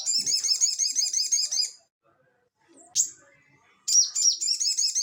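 A crested jay gives fast, high, chattering notes in two long bursts, separated by a short pause with one sharp note in between.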